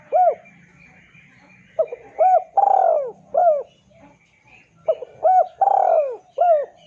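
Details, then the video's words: Spotted dove coo used as a lure to call a rival: repeated phrases of short hooked notes around a long descending coo, two full sequences over a faint low hum. "PANCINGAN SUARA BURUNG TEKUKUR DERKUKU MEMANGGIL LAWAN IKUTAN BUNYI"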